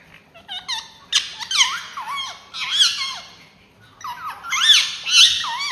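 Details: Indoor pet ringneck parrot chattering in quick sequences of high, looping, speech-like notes, bursts rising and falling about twice a second with short gaps between phrases.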